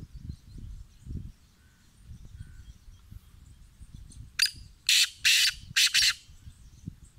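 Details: Black francolin calling: after quiet low rumbling, one harsh grating burst followed by three loud, rasping, broadband notes in quick succession near the end.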